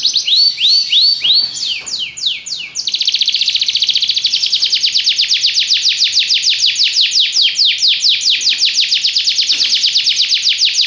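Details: Belgian canary song opening with looping chips and slurred notes, then settling into a long, fast, rhythmic trill of descending whistled notes that gradually slows toward the end.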